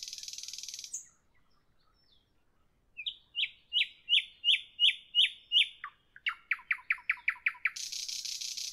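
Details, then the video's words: Evening nightingale: a buzzy rattle fades, silence follows, then loud repeated downslurred whistles, a faster string of sharp notes, and another long dry buzzing trill. "Evening nightingale, nightingale song, nightingale"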